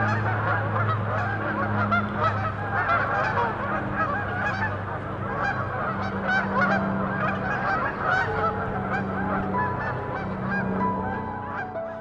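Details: On a winter day in Massachusetts, hundreds of Canada Geese resting on a frozen pond honk in a dense, overlapping chorus of nasal calls, several per second, reacting to a passing propeller plane whose low drone sounds underneath.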